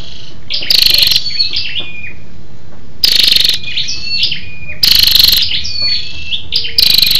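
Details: Scarlet-backed flowerpecker female, lure call meant to excite males: short buzzy pulsed bursts about every two seconds, each followed by a scatter of high thin sliding chips and whistles.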